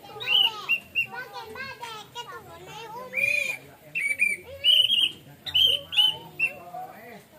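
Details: Orange-headed thrush singing in relaxed plong style: loud, clear whistled phrases around the upper-middle range, each a second or less, with short trills and slurred notes, separated by brief pauses; people talking and children's voices underneath throughout.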